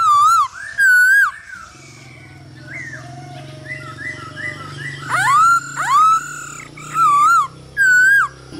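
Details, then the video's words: Male hwamei singing to a female's calls to train other birds: loud wavering whistled phrases repeated about every second, with quieter warbled notes between and a steady low hum underneath. "Khướu trống hót múa cực đỉnh kèm tiếng mái ro kích quá hay"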